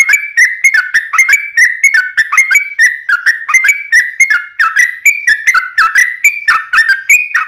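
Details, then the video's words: Yellow-vented bulbul in long, unbroken 'ropelan' song meant for training birds and luring wild ones: a fast, continuous chain of bubbly, clear warbled notes, each a quick rising or falling slur, tumbling along without pause. "Kicau Trucuk Ropelan Panjang Ngelituk Tanpa jeda buat Masteran"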